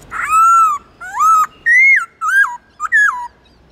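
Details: Black-throated laughingthrush song, aimed at reviving a pet bird's urge to sing: a run of five loud whistled phrases, some rising, some arching and falling, delivered in a steady lively sequence.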